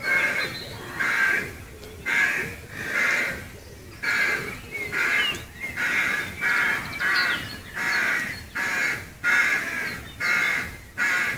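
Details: Rooks in trees beside Gaia House, Devon, heard from a nearby footpath: a steady run of rough, grating caws roughly once a second, several birds overlapping, with fainter distant cawing behind.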